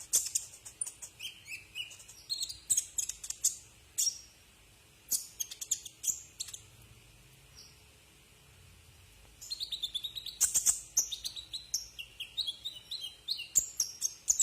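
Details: Brown-throated sunbird song recorded as a tutor for cage birds: clusters of shrill chips and thin descending whistles, a quiet gap of a few seconds, then a dense twittering burst.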